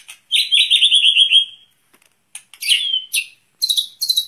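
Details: Outdoor-placed white-rumped shama, trained for breathing, pours out a sustained rolling trill, then a series of sharp high chips and a slurred whistle.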